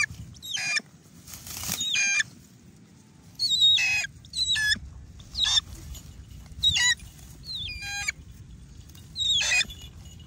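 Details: Hawk-eagle during hunting training, giving a series of about seven loud, high, whistled calls with sliding and dropping notes, each under a second long and spaced one to two seconds apart, over a low background rumble.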